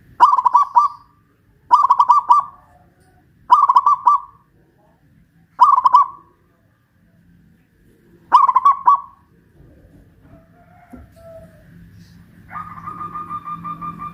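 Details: Zebra dove from Kuningan, West Java, local Pajajaran strain, singing eagerly while hoisted on a pole. Five bubbling cooing phrases repeated roughly every two seconds, then a pause with low noise and a faint other bird.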